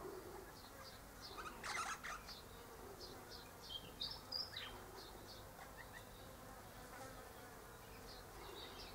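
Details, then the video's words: Eastern rosella perched high in a hedge one morning, its mate in a nearby pecan tree, chatters in soft, rapid chips, several a second, with a brief pair of higher whistled notes midway and one rustling burst early on. "Eastern Rosella Parrot Chatting"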